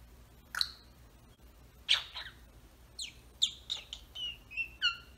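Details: A pet Senegal parrot shut inside its travel cage gives sharp clucks and chirps, then a run of clear whistled notes, some falling, coming faster toward the end, in a quiet room.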